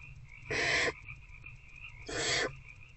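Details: Barn owls after dark in a nest box, 19 February 2024, adult feeding an older owlet; two broadband rasping hisses, each under half a second, spaced about one and a half seconds apart, with steady background drone.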